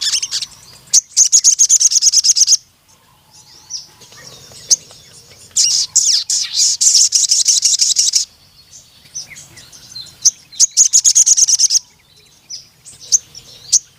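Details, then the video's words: Sooty-headed bulbul in full song: rapid bursts of high, rattling, metallic chatter lasting one to three seconds, broken by brief pauses and scattered single sharp notes. "BURUNG SOGON MANAPUN CEPAT GACOR DAN NEMBAK PANJANG DENGAR INI"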